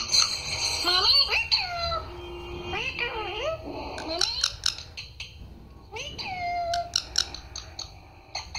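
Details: Pet parrot talking, mimicking the words "Mummy" and "Papa": a run of harmonic, speech-like syllables with sliding pitch, bursts of sharp high clicks, and a short pause before a second phrase. The setting is quiet and indoor-sounding.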